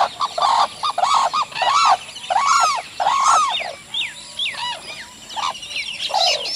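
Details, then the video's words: Sarus crane courtship display calls: loud, arching trumpeted notes repeated in quick succession, about one per second, then a looser run of rising whoops, with other birds calling in the background. "Sarus Crane. Courtship Display Calls"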